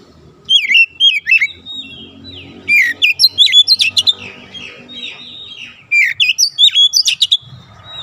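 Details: Oriental magpie-robin training song for untrained birds to sing dense rapid bursts: several phrases of slurred whistles and fast chips, the busiest around the middle, over faint low background noise.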